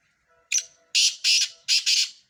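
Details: Black francolin from Sindh, one of four birds in a calling competition: a short opening note, then three loud harsh grating phrases, the last two doubled, all bright and high.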